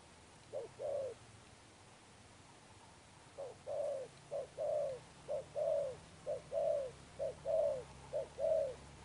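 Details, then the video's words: Spotted dove coo, Đồng Pha Sấm style with Sấm Thổ tone, from a wild-caught bird: one paired coo, a pause of two seconds, then a run of short-long coo pairs repeated about every second. "Thúc Đồng Pha Sấm, Gù Âm Sấm Thổ, Bổi tướng bồ câu"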